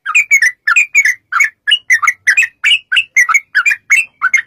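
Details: Yellow-vented bulbul in long, rapid 'ropel' singing, used as a lure to make other bulbuls sing back: a steady run of bubbly, chattering phrases, each a quick burst of rich warbled notes, repeated about four times a second, nothing else heard.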